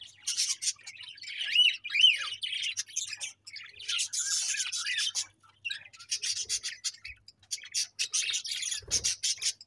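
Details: Several pet budgies chattering: bursts of fast scratchy chirps mixed with clear rising-and-falling whistled notes, broken by short pauses, with a soft low knock near the end.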